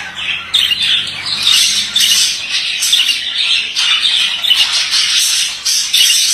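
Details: Steady chattering warble from a male budgerigar: fast scratchy notes, squeaks and buzzes in an unbroken stream, with a faint low hum early on.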